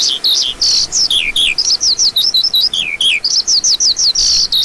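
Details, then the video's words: High lark song of rapid, sharply slurred chirps strung in quick runs, some notes paired, flowing almost without gaps. "Lark Calling Sound"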